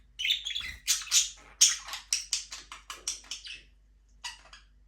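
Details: Budgerigars, Australian parakeets free-flying in a small aviary, give a rapid run of bright, scratchy chirps and warbles, about two per second, fading out and then resuming briefly after a short pause; no music.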